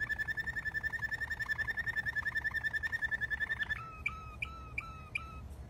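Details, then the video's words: Malinois canary singing: a long, fast, even roll of rapid pulsed notes on one steady pitch for almost four seconds, then slower downward-sliding whistled notes repeated about every half second. "تغريد كناري مالينوا"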